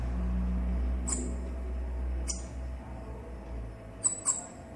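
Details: Male and female Bananaquit singing: sharp, very high chipping notes, one spaced about a second apart, then a quick pair near the end, over a steady low hum.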